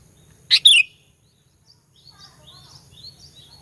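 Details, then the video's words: Fighter sooty-headed bulbul lure song intended to agitate rival birds: one loud two-part chirp, sharp then falling, followed by a scatter of faint high twitters in the background. "Burung Kutilang Pikat Gacor Fighter, Paling Jago Mendongkrak EMOSI Kutilang LAWAN"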